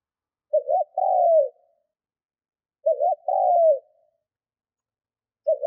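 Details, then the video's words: Decoy spotted dove in training, cooing to provoke wild doves: each low phrase has two short clipped notes, then a longer drawn-out coo that slides downward. Two full phrases about 2.5 seconds apart over a silent background. "Chim cu gáy mồi Thúc - Gù hay kích bổi"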